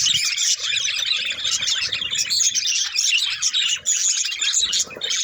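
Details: Parakeet chirping fills the air: rapid overlapping squeaky notes with brief dips, plus faint low rustles beneath.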